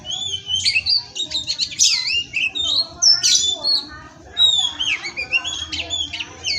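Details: Oriental magpie-robin, known locally as kacer, from an Indonesian breeding farm singing a masteran recording: loud sweeping whistles and rapid chattering notes mixed with rasping bursts, phrases separated by short gaps.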